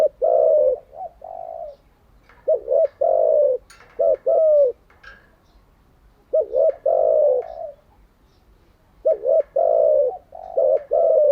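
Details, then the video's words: Decoy spotted dove kept for training captive doves, cooing in repeated phrases every few seconds, each a pair of short low notes followed by a long, slightly falling coo, in a quiet setting. "Tiếng chim cu gáy mới nhất, dùng luyện chim gáy bổi và mồi hàng ngày"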